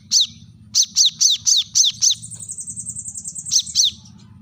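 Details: Brown-throated sunbird (kolibri kelapa) calling sharply to rivals: a run of loud downslurred piercing chips several times a second, a long thin high buzzing trill, then two more chips, with low background rumble.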